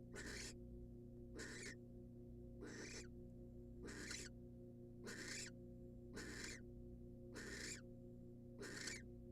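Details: Female barn owl in the wild, in a nest box, receiving prey from the male: eight harsh, hissing screeches repeated rhythmically about every second and a quarter, with a steady background hum.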